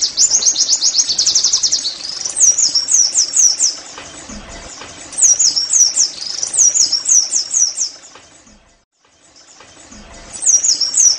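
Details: Rapid high-pitched twittering of an Oriental white-eye, used to coax caged birds into constant singing; dense runs of sharp chirps come in bursts, fading to near silence around the eighth second before another run begins.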